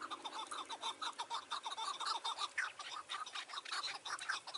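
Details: Chukar partridge calling on a mountain on a June 2018 evening while being trapped; a rapid series of harsh chuk-like notes, several per second, in uneven bursts over faint background hiss.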